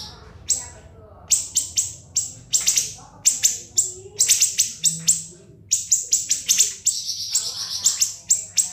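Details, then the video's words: After a quiet start, a caged-bird tutor recording of siri-siri song bursts into clusters of sharp, shrill high notes, some doubled or tripled, finishing with a fast buzzy trill. "MASTERAN BURUNG SIRI-SIRI NGEBREN SUPER PEDAS TEMBAKAN TAJAM & SUPER PANJANG"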